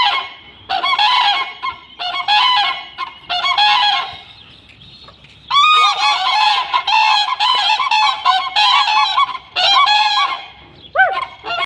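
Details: Common cranes in Siberia give loud, rolling trumpeting calls in overlapping bursts of a second or so, several birds calling together with brief pauses between bouts.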